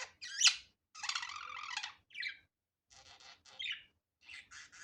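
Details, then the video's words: Pet budgerigar in an unedited natural recording: a sharp squeak, then a drawn-out, grating buzzy note lasting nearly a second, followed by softer rasping chirps and scratchy bursts. "Muhabbet Kuşu Doğal Sesi"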